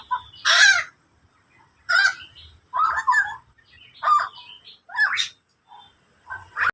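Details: Endemic bird called koak kaok uttering loud, raspy, broadband squawks spaced roughly a second apart, each a short harsh burst, with silence between.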